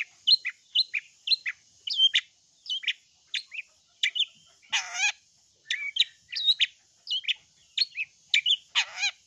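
A long-tailed shrike sings a rapid, varied chatter of sharp whistled and scratchy notes, several bursts a second, with a couple of harsher rasping calls.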